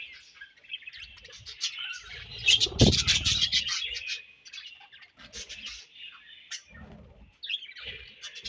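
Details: Budgerigars exchanging food produce a lively run of rapid high chirps and warbled chatter. A louder burst with a low thud comes about three seconds in, followed by quieter scattered chirps.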